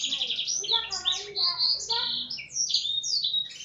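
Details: Blackthroat-tutored canary song with dense, fast bursts of high, sweeping notes and short trills, some lower buzzy phrases beneath, delivered continuously without pause.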